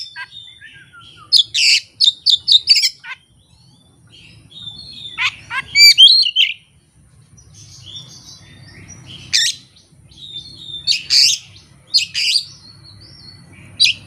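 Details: Oriental magpie-robin kept as a songbird, pouring out learned song material with no master recordings and no rival: a fast series of sharp chirps, then slurred whistles and scratchy notes in rapid bursts across fourteen seconds.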